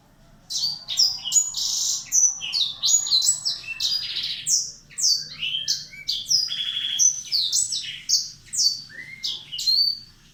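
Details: Black-throated canary song used to provoke other birds into singing: a lively, varied stream of high whistled and slurred notes, rising and falling phrases with short pauses, over a faint low hum.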